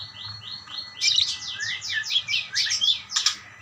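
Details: Calling back and forth, budgerigars give three even chirps, then a loud burst of rapid, repeated downslurred chirrups and buzzy notes, ending with clicky rasps.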